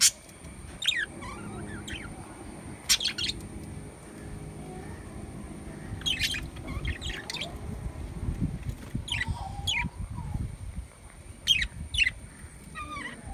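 Lovebirds give shrill, squeaky chirps in short bursts every second or two, with a low rumbling hum and a steady high whine behind them.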